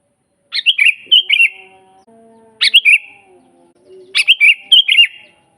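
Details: Lively sooty-headed bulbul song used to train and lure bulbuls: three chattering phrases of rapid whistled notes, each starting with a sharp high note, with faint low droning tones in the gaps.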